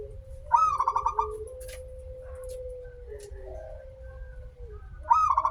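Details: Zebra dove, local type, singing as a lure to prompt other doves: a bright opening note then a rapid rolling series of short coos, repeated near the end, with a long flat low tone running between phrases.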